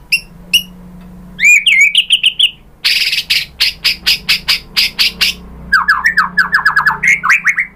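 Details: A white-rumped shama sings to provoke rival birds. Separate high whistles and slurred notes lead into loud buzzy repeated bursts about three per second, then a quick series of descending whistled notes.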